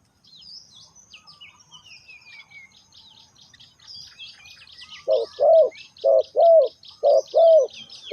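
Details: Spotted dove lure call used to draw in wild birds; after about five seconds of thin high chirping and twittering from small birds, low hollow coos begin in short-long pairs, repeated roughly every second.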